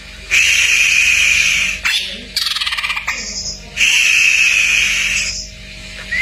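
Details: Greater green leafbird tutor song, full and varied: long sustained high whistles, a rapid buzzy rattle between them, and a short harsher phrase, against constant background hiss.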